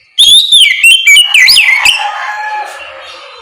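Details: Oriental magpie-robin singing in the morning in the loud, open ngeplong style, used as a lure to make other magpie-robins answer: a burst of loud whistled notes sliding down, with sharp chirps, then a fading echo-like tail.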